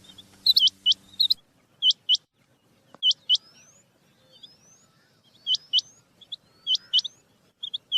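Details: Rain quail, male and female calls used as a hunting lure: sharp, high, metallic notes mostly in quick couplets, repeated irregularly about fifty times a minute, with a low steady hum during the first second and faint rising whistles.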